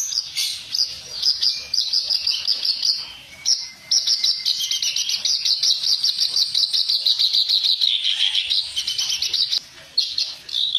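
Clamorous Reed Warbler in a fast, unbroken stream of harsh, grating chatters and squeaky notes, high-pitched and running almost without pause, broken only by two brief gaps.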